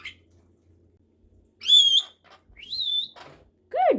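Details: A pet male monk (Quaker) parakeet, offered grapes, gives clear, high whistles, one rising and holding steady, mixed with short mimicked talking words.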